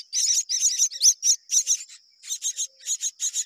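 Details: Myna chicks in a nest being fed by their mother, giving rapid harsh, rasping high-pitched calls in quick bursts several times a second, with short pauses between clusters.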